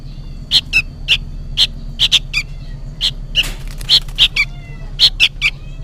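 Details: Sooty-headed bulbul youngster crying noisily as if calling its mother: loud, rasping high chirps, singles and pairs, with a brief burst of broad noise midway and a low drone.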